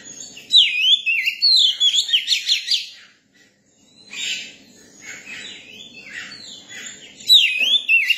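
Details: Song of a young Oriental magpie-robin: a rapid, varied series of sweet whistled notes swooping up and down for about two and a half seconds, then softer twittering, then another loud whistled phrase.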